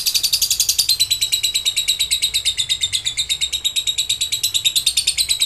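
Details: Ngekek song from an excited lovebird challenging rivals, used to lure quiet lovebirds into answering: one unbroken, fast, rattling chatter of high, harsh notes, about three pulses a second, steady throughout.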